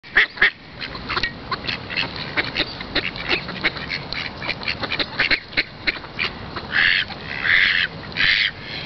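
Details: Several ducks quacking and chattering, with harsh nasal quacks overlapping at irregular intervals and louder, longer bursts near the end over steady background hiss.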